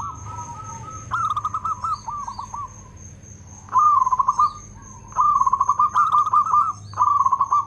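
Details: Loud local zebra dove with good rhythm sings rapid runs of pulsed, slightly descending coo notes in bursts of one to two seconds, with quieter cooing between bursts and a constant high thin whine behind.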